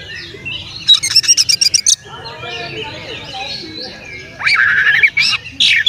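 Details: Oriental magpie-robin song used to stir up other magpie-robins: a second of fast, harsh chattering bursts, a quieter warbled interlude, then loud grating rising and falling notes near the end.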